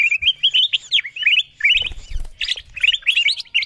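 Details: Golden bulbul (kutilang emas) calls used as a lure to draw wild birds down: rapid chirpy whistled notes in quick rising-and-falling runs, several bursts with short gaps, plus a soft low thump midway.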